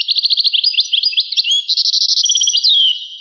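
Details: European goldfinch song from a rare recording dating back to 1985: rapid high twittering, a fast series of short notes giving way to buzzy trills and a sliding whistle, with no low sounds.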